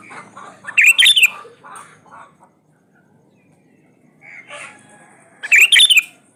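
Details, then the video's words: Sooty-headed bulbul song used as a lure to get reluctant birds singing: two loud bursts of bubbly, slurred whistled notes separated by a quiet gap with a few softer chirps. "SUARA PANCINGAN BURUNG KUTILANG GACOR ISIAN COCOK BUAT KUTILANG MALAS BUNYI"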